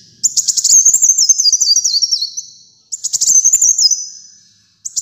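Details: High-pitched sunbird song, kolibri muncang, a long rapid twittering run descending in little steps, followed by a second shorter burst and the start of a third.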